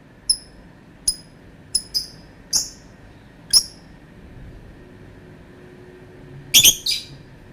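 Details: Lovebird calling with scattered sharp, high chirps, then short harsher squawks and a closing double screech.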